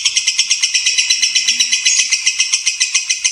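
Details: White-rumped shama song from a training recording featuring a champion shama and a young spotted-plumage shama: a fast, steady run of bright, high chattering notes, about four per second, repeated without pause and evenly loud throughout.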